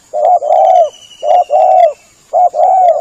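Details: Spotted dove call played as a hunting lure to attract doves: three evenly spaced phrases, each a brief coo then a longer warm, slightly falling coo, about once a second; faint high whine beneath.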